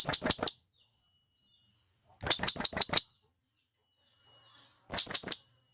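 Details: Blue-crowned hanging parrot, a wild forest bird, calling its companions. It gives three separate bursts of piercing high tweets, about four or five rapid notes each, with clean silence between bursts.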